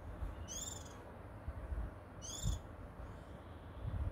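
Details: Little songbird heard on a June 2022 midday recording, delivering a pair of sharp, falling whistled notes roughly two seconds apart, with a constant deep rumble of background noise.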